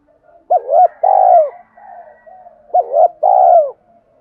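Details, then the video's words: Spotted dove cooing in 'thúc' style to lure wild doves: two phrases, each a quick double hoot followed by a long, slightly buzzy, falling coo, with faint soft notes between. "tiếng cu gáy Thúc cực đỉnh dùng kích bổi rất hiệu quả/ cu gay kich boi nhanh noi gù"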